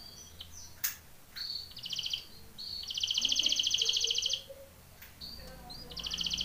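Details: Canary training song in bursts: short whistled phrases and rapid rattling trills separated by pauses, with a few sharp clicks and faint lower chirps in the background.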